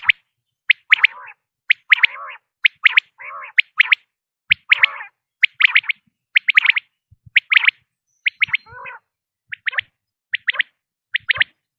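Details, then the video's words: Common quail, recorded as a lure for hunting: bursts of rapid, sharp notes repeated roughly every second, each trailing off into a lower, grating tail. No other sounds. "بٹیر کی اواز 1 گھنٹے کی Quail Beautiful voice"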